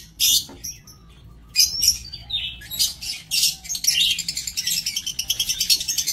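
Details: Lovebirds in an aviary, 5 July 2024: harsh shrill squawks at first, then continuous rapid chattering building into a dense, pulsing chorus.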